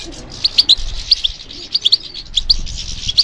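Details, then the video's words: Goldfinch, European, singing in response to stimulation: scattered sharp high chirps and twittering notes at uneven intervals, with a soft noisy background. "How to encourage the goldfinch to respond to stimulation"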